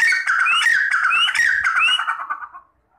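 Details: Partridge (teetar) giving a loud, harsh, ringing call series. The squawking notes come several per second, each topped by a rising sweep, then fade out abruptly near the end.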